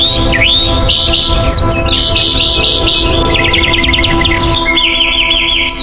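A Northern Mockingbird sings bright, varied phrases, each repeated several times before switching to a new one, including a rapid trill and chirpy notes over steady background music.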